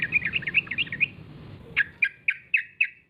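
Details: Sooty-headed bulbul (trucuk) calling as a lure so other bulbuls answer: a fast bubbly twitter, then five separate sharp chirps spaced roughly a quarter second apart.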